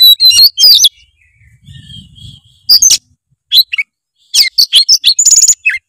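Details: Singing oriental magpie-robin, a lure for coaxing a reluctant bird into song: sharp whistled and chirping bursts, a thin sustained whistle, then a fast run of varied high chips and trills, with faint low rustling.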